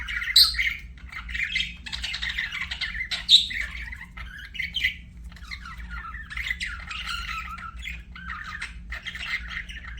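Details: Budgerigars kept as pets give a run of scratchy, warbling chirps and short squawks in loose bursts, a low electrical hum running throughout.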